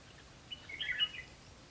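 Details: Red-whiskered bulbul recorded during trapping on 12 July 2016, with lure birds mentioned; a brief cluster of bright slurred whistled notes lasting about half a second, fairly quiet against faint steady background hiss.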